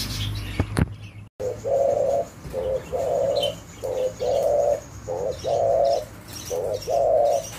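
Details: Spotted dove calling: a low, soft cooing phrase of a short note followed by a longer, drawn-out coo, repeated about four times in steady rhythm, after a brief click, over low background hum.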